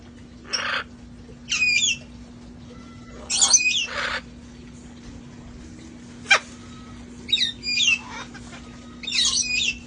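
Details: Several parrots from a sanctuary flock playing and enjoying life outdoors before cold weather; harsh broadband squawks and short whistled notes come in bursts every second or two, with a steady low hum beneath.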